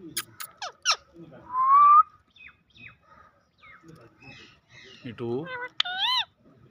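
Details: Talking parrot speaking Urdu words: short clicks, a smooth rising whistle, soft chatter, then wavering speech-like syllables at the end.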